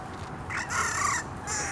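A bantam rooster gives one short, muffled crow lasting under a second, hoarse and flattened rather than ringing, with faint background hiss.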